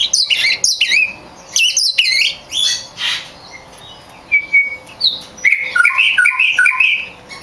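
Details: Oriental magpie-robin (kacer), a champion songbird whose recording is used to train other kacer, singing in varied bursts: sharp descending chirps, then clear whistled notes and a fast run of warbled phrases, separated by short pauses.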